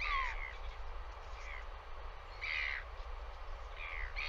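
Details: Northern royal albatross (the bird "Red" visiting) on a live nest cam, dated 200113, gives four harsh, croaking bursts about a second apart, each somewhat rough and nasal, over a steady roar of wind.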